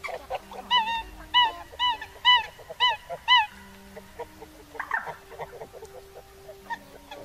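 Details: Eurasian coot flock-calling recording used for night net-trapping of migratory coots: six loud, nasal, honking notes about half a second apart, then softer scattered calls, over a faint steady electronic hum.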